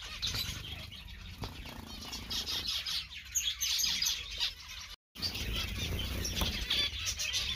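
A zebra finch sings a busy string of buzzy, nasal chirps, with wingbeats fluttering in between.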